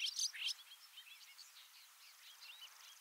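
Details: Male Bobolink in grassland at Heaven Hill, Lake Placid, New York, in May 2022, singing a lengthy metallic song: a loud, bubbling burst of tinkling notes, then a quicker, fainter jumble of high chirps running on for several seconds.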